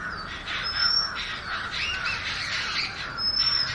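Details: Clear, high whistles from an Oriental magpie-robin, one long upslurred note and a later repeat, with steady chattering of other birds underneath.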